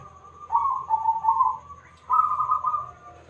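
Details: Local zebra dove, big-voiced and used to coax other birds into answering, gives two rolling, bubbling coo phrases at an even middle pitch separated by a brief pause, with a quiet hum beneath.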